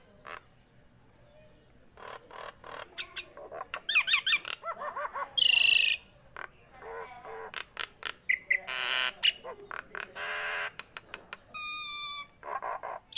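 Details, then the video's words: Vigorous Nias hill myna, starting quietly then breaking into loud harsh squawks, clicks, scratchy bursts and short whistles, ending with a fast ladder of clean stacked notes. "JALAK NIAS GACOR"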